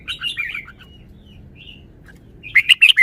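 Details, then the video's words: Red-whiskered bulbul song: mellow warbled whistles, a pause with soft thin notes, then a loud quick burst of sharp chirps. "นกกรงหัวจุก จ้าวมาดี สำนวนดี"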